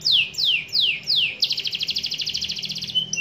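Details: Canary chirping as a lure to get other canaries singing freely: four loud whistled notes sliding sharply downward, then a rapid buzzy trill of tightly repeated notes, closing with a short level whistle.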